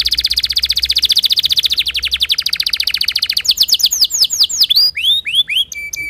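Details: Timbrado canary performing a melodic training song: an even, rapid rolling trill for over three seconds, breaking into looping downward-swept notes and ending on a short level whistled tone.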